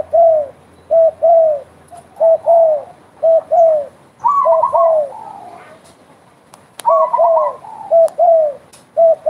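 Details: Vigorous spotted dove cooing: steady pairs of low notes, short then long and falling, repeated roughly once per second. Higher bubbling coo runs come in twice, with faint clicks in the background.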